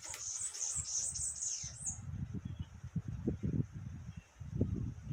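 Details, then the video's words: Morning birdsong: a thin, very high chattering trill for about two seconds, then it fades to dull low rumbling and knocking sounds. "Pássaros cantando pela manhã"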